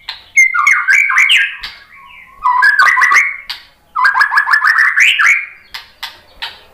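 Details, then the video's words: Murai batu, the white-rumped shama, answering a lure recording with rich varied song: bursts of fast rising and falling whistled phrases and trills separated by short pauses, with sharp clicking notes between them. "biar BUNYI ‼️ MURAI BATU jadi kepancing NYAUT ikut GACOR ¦ PANCINGAN MURAI ¦ SHAMA BIRD"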